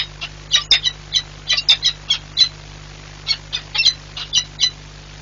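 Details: Peregrine falcons at their Płock nest, Poland, on 4 April 2022, the pair swapping places repeatedly; a loose series of sharp, ringing chip calls in two bursts with a short pause between, over a constant mechanical hum.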